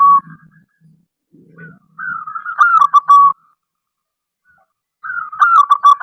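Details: Local zebra dove (perkutut) song meant to coax other doves to sing: after faint low rumbling, two loud phrases of quick staccato cooing notes, each starting smooth and breaking into a stutter, about three seconds apart.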